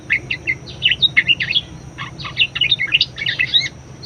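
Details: Highly vocal budgerigar singing, a recording meant to stimulate and tutor other birds; rapid chattering warble of short chirps and squeaky notes in continuous bursts, with a steady low hum behind.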